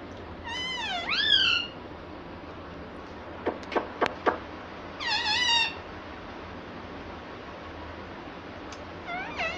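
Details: Green ringneck parrot kept as a pet, talking and said to say "mummy"; two drawn-out wavering calls that swoop down then up, separated by a few sharp clicks, over steady room hiss.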